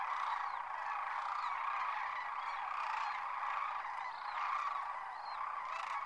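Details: Sandhill cranes taking off in their thousands at a winter roost, Whitewater Draw, McNeal, Arizona. Overlapping rattling calls merge into a steady roaring chorus, with occasional clearer calls rising above it.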